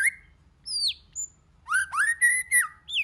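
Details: Varied whistled song of a white-rumped shama in a many-voiced style: a steady whistle, a high descending slur, a brief pause, then a rich burst of looping, bending whistles with bright high overtones, over a faint low hum.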